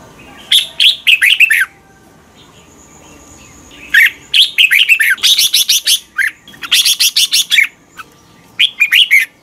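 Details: Red-whiskered bulbul in energetic 'căng lửa' morning song, recorded as a lure for training bulbuls. Rapid series of bright, chirpy notes descending in pitch, grouped into dense bursts with longer phrases near the middle.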